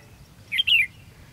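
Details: Red-whiskered bulbul at a decoy trap used for competitive-singing fights, 13 February 2016: a brief two-part whistled phrase, a sharp note then a longer slurred falling one, against quiet low hum.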